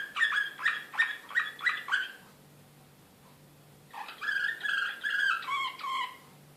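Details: An excited Serbian Slavujar canary in Belgrade, 2016, sings five evenly spaced ringing chirps, pauses in quiet hum, then resumes with a warbled phrase of slurred, descending whistled notes.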